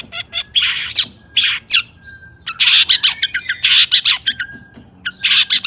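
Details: Agitated song of a long-tailed shrike, played to draw other shrikes into singing: harsh grating bursts alternating with dense rapid chatter and a thin whistle.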